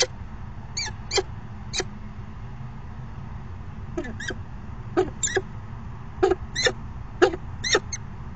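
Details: Male falcon waits at the nest box and the female joins for a short courtship dance, afternoon of 29 September 2016; spaced ringing chip notes, a pause of two seconds, then paired calls resume.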